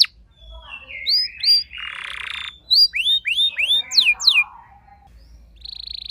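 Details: Domestic house canary, a normally quiet singer, answering at once with song: a mix of clear rising and falling whistled sweeps, short buzzy phrases and fast downward chips, with brief pauses between phrases.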